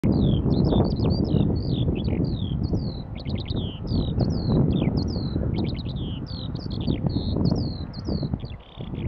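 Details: Eurasian skylark singing at Fen Drayton Lakes in June 2015: a rapid, unbroken stream of high twittering and trilled notes, many rising or falling slurs, over heavy low wind rumble.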